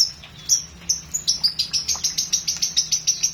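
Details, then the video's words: Lovebird singing a full 'materi' song: rapid, very high-pitched chirps repeated about every 0.15 seconds in a fast chattering run, over a low steady hum. "LOVEBIRD FULL MATERI MEWAH"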